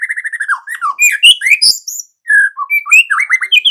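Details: Lively white-rumped shama song: a run of repeated clear whistles falling in pitch, then mixed high sweeping notes and chattery fragments with one brief pause.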